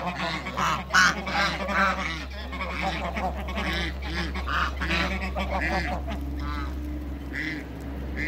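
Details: Toulouse and African geese in a backyard breeding flock give scattered honks and rapid nasal notes, quieter than the chorus, over a steady low hum.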